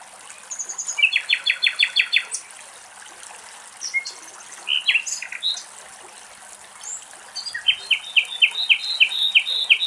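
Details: Wild common nightingale singing in Greek countryside: rapid series of rich, stuttering repeated notes, a pause with scattered sharp chirps, then another fast run of evenly spaced repeated notes; faint rustling background.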